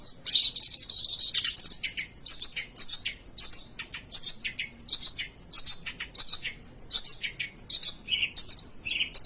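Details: Oriental reed warbler singing a continuous rolling song, a busy, high stream of chattering notes, with short sharp phrases repeated in quick succession for the whole stretch.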